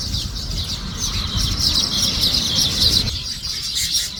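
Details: Uncaged male Finn's weaver in India, excited and calling to invite females to his nest: a dense, buzzy, high-pitched chatter of rapid notes, about three to four a second, continuing throughout, over low rumbling background noise that drops away near the end.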